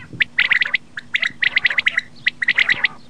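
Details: Common quail giving rapid bursts of short, clipped chirps at a steady pitch, grouped in quick runs with brief pauses, against a low background hum.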